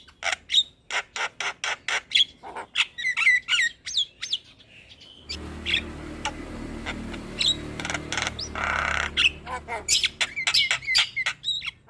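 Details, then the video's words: Javan myna singing vigorously, a song for stimulating a lazy bird to sing: rapid clicks, whistles and chatter in quick succession, with a low background hum appearing midway. "Burung Jalak Malas Bunyi Harus Rutin Di Beri Pancingan Kicauan Jalak Kebo Gacor Ini"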